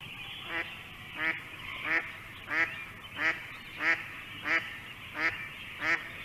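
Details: Mallard giving a steady run of harsh, nasal, stereotypical quacks, about nine in six seconds, evenly spaced, over a faint background hiss; quacking is a clue but not diagnostic, as many female ducks also quack.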